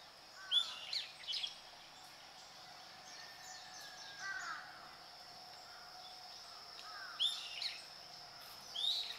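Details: Warbling white-eye (Zosterops japonicus) in Japan giving short bursts of high, thin twittering notes every few seconds over a steady, even background hiss.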